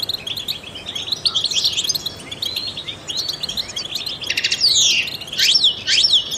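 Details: High, rapid twittering from a trained European goldfinch, sung to stimulate songbirds, growing louder toward the end with several emphatic whistled notes sliding steeply downward.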